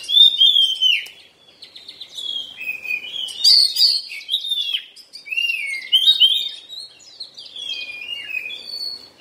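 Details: Oriental magpie-robin in moult, singing a rich, varied song of clear whistled phrases, slurred downward notes and quick chattering bursts, mostly high-pitched, in rapid irregular succession with brief pauses; no other clear sounds.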